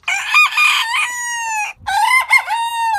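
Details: Rooster crow, loud and harmonically rich: a rough, wavering opening followed by a sustained, steady note, a short pause, then another crow with a warbling start and long level tail.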